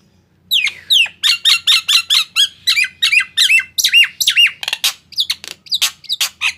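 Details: Singing Nias hill myna, used as a lure so that mute mynas answer. Rapid run of loud squawking, slurred whistles and rising notes, roughly two per second, over a faint low hum.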